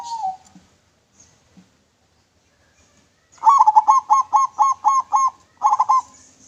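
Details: Local zebra dove singing its clear cooing song, used as a lure: a short note at the start, then a long run of about eight bubbly, rolling low coos after a pause, ending in a second shorter burst.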